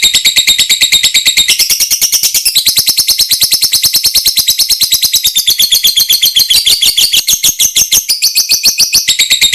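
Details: Extended lovebird ngekek, a long trill used to train other lovebirds: a continuous, rapid, high, metallic chatter with small shifts in pitch, sustained for nearly ten seconds.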